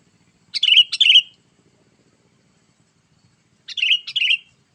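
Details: Sooty-headed bulbul calling in the gacor style to draw in wild bulbuls: two loud paired bubbly notes, a pause of about three seconds, then another matching pair, in near silence.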